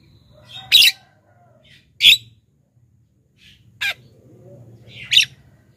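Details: Black-winged myna calling to lure wild birds: four loud, raspy squawks at uneven intervals over a soft low hum.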